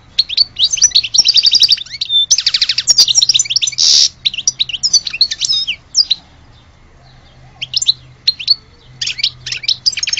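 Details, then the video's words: European goldfinch of Alge in extended song: rapid trilled twitters and rattling runs, a harsh buzz around four seconds, then sparser clipped chirps with pauses over ten seconds. "Le vrai chardoneret de Alge"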